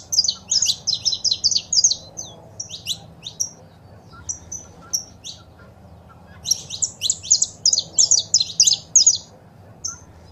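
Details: Saffron finch recording of male singing and female calls, for pet birds. Two dense bursts of rapid high chirps separated by a stretch of scattered single notes, roughly three per second overall.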